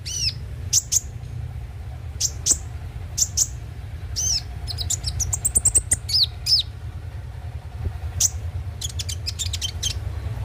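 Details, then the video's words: Konin (kolibri ninja) song meant to coax birds into singing: high, sharp chips and curved whistled notes in uneven bursts, with a dense quick flurry midway, over faint low rumble. "pancingan suara burung KONIN agar rajin bunyi tiap hari"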